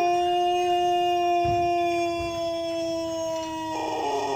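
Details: Pelung chicken rooster holding the drawn-out tail of a long crow, a steady sustained tone slowly sagging in pitch over four seconds, ending with a rougher break.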